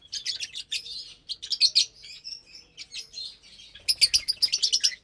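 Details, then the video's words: Lovebirds feed together in the morning on sweet corn, kale, basil, mustard greens, sprouts and mixed millet seeds. Loud, shrill chirps come in rapid clusters, ending with a dense burst of sharp repeated notes. "Lovebirds Meal Time"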